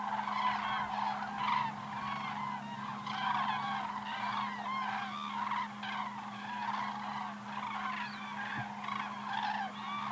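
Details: Cranes passing in flight, 2014: bursts of loud, curved, trumpeting calls from many birds, swelling and fading in waves every second or two, over a steady low hum.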